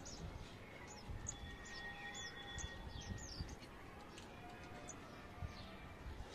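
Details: A male sunbird and his baby, which has fallen from the nest, call to each other with thin, high, downslurred chirps, several per second in loose bursts, over a steady low rumble of background noise.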